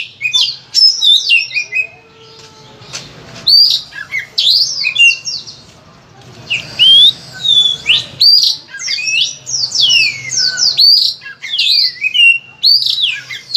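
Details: Oriental magpie-robin, kept as a song bird, with bursts of sweeping whistled and scratchy notes, a quieter stretch near the start, then loud varied phrases with short gaps.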